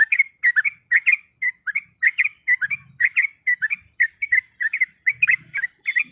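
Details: Yellow-vented bulbul, a female calling a male to provoke a rival: crisp liquid warbled notes in short bursts, roughly three per second, with faint low thumps in the background.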